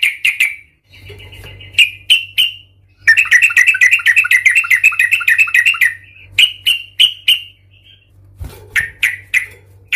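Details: Sooty-headed bulbul in an angry, fighting mood, recorded as a lure to provoke other bulbuls. Bursts of sharp, harsh chirps, then a long rapid chattering run lasting about three seconds, followed by more separate chirps over a faint low hum.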